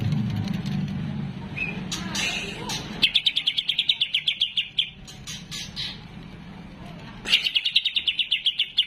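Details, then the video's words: Greater green leafbird kept at home, singing vigorously: bright, rapid trills of repeated high notes in two long bursts after a muffled, noisy start, with low background rumble throughout. "BURUNG CUCAK IJO DI RUMAH GACOR DI LOMBAKAN MELONGO"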